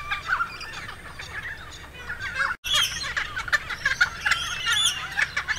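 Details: Several noisy friarbirds at Spring Mountain, Logan, Queensland, in September 2022, calling with raucous, nasal squawks and clucking phrases that tumble over each other in quick succession.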